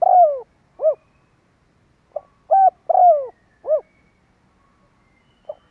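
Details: Spotted dove kích bổi call used as a lure. Two cooing phrases each end in a long descending croo and a rounded coo, separated by a pause of about a second, with a soft lead-in note at the end.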